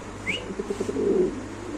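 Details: Captive moulting male Spanish-breed domestic pigeon at a pigeon farm in Khilgaon, Dhaka, calling a lot: a run of low, throaty pulsed coos that swell and fade over about a second, with one brief higher squeak near the start.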